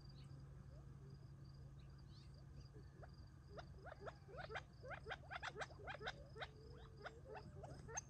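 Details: Feeding flock of Gambel's quail at dusk near Tularosa Creek, July 2021, before going to roost; quiet at first, then a burst of rapid, rising chattering notes builds over a low constant hum.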